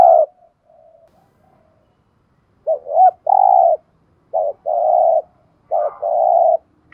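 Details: Decoy spotted dove of the 'giọng thổ' voice type calling: soft low murmurs, then three phrases each of a brief hooked note followed by a sustained, even, hollow coo, against a quiet background.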